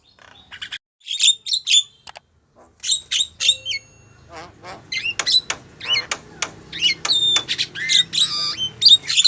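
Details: Female Javan myna calling a male, used as a lure: scattered harsh squawks and short nasal whistled notes with gaps, building into denser chattering bursts toward the end over a faint low hum.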